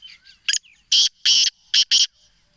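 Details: Black francolin from Sindh, Pakistan giving its harsh call: a brief clipped note, then two long scratchy rasping blasts and a quick closing pair, each loud and noisy, with faint soft chirps just before.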